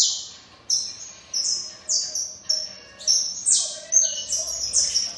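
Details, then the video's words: Saffron finch singing at length, a run of bright, high, slightly buzzy notes, each a short downward-sloping burst repeated roughly every half second, with faint background murmur. "canário da terra cantando muito"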